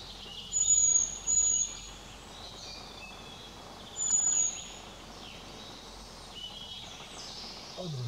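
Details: Eurasian pygmy owl in the Owl Mountains (Góry Sowie), Poland, on 17 June 2020, giving thin, very high, steady whistles, two close together then another a few seconds later, over a soft rushing forest background.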